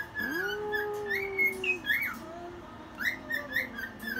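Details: Pet cockatiel singing at one in the morning while dancing indoors: clear whistled notes sliding up and down, with a long held tone near the start and short looping whistles later, over a steady low hum, and a woman speaks softly.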